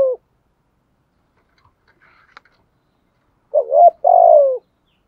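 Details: Spotted dove in the 'gáy gọi' and 'thúc gù' cooing styles, kept to stimulate decoy doves: a clipped coo at the start, a quiet gap with faint clicks, then one loud low two-part coo phrase.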